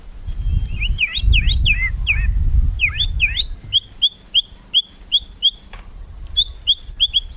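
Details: White-rumped shama singing kretekan-style to provoke rivals: a burst of looping slurred whistles over low rumbling noise, then a steady series of short, clear, upslurred chirps repeated several times a second.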